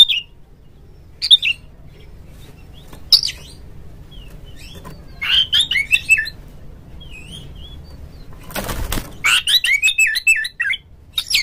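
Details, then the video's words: Oriental magpie-robin lure song meant to rouse a kept rival bird into singing and tail-fanning; scattered short whistled phrases separated by quiet gaps, a brief rustling burst near the end, low steady hum underneath. "suara pancingan burung Kacer"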